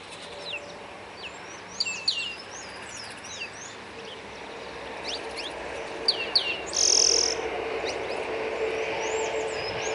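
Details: Free-living saffron finches in the wild: bright, rising-and-falling chirped notes in quick irregular bursts, several birds calling over a steady broadband background hiss.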